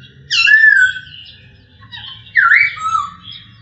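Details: Loud masked laughingthrush whistles for tutoring other birds: two strong slurred phrases about two seconds apart, the second swooping up then dropping, with soft warbling between and a low hum in the background.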